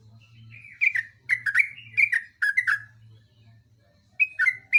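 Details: Trucuk, or yellow-vented bulbul, in lively long rolling song: a string of liquid warbled notes that dip and lift, a short pause, then a fresh burst of three bubbly phrases; steady low hum behind.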